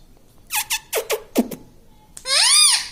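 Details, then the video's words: Pet parrot, called tota or mitthu, gives a rapid series of five short descending squeaks followed by a longer, rich, arching word-like utterance. "Bolne wala tota - tota talk - mummy bolne wala mitthu - talking parrot"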